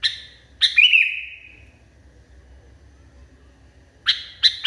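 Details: Agitated Sooty-headed Bulbul calling hard: a pair of sharp, explosive chirps, one trailing into a long ringing tone, then a pause before another burst of quick bright notes at the end.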